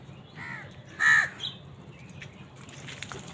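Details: Crows fighting wild birds for food give harsh, hoarse caws: a softer drawn-out caw, then a louder, sharper one straight after, followed by faint chirps of smaller birds over a low background rumble.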